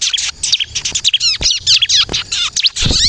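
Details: Ciblek kristal, bar-winged prinia, in a vigorous song for luring and provoking replies; harsh high chattering bursts mixed with clear descending whistles, nearly continuous and loud.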